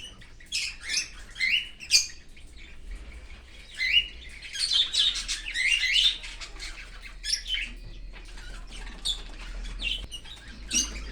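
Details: In an open aviary, an Australian cockatiel feeds its baby from outside the nest: grating, buzzy calls in clustered bursts with short pauses, plus a steady low hum throughout.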